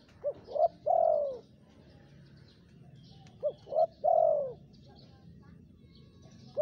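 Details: Spotted dove calling vigorously as a lure for wild birds: two full phrases, each a brief low note, a rising coo and a long falling croon, about three seconds apart, with low background rumble.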